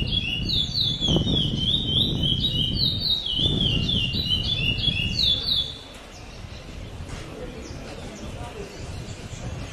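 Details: Caged lesser seed finch at a 2008 singing tournament in Bauru, Brazil, first-place winner in the classic-with-repetition style: fast, high, clear whistled phrases with rising and falling slurs for about six seconds, over low crowd murmur and background noise.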